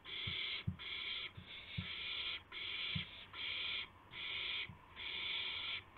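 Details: Owl at 2:51 AM on 2 April 2016 as a gopher is delivered: a run of about seven rough, raspy screeching hisses, regularly spaced, with dull low thuds from movement in between.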